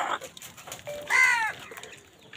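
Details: Crow in a fight for food gives a single hoarse, nasal caw lasting under half a second, after a brief softer note. Background noise is light.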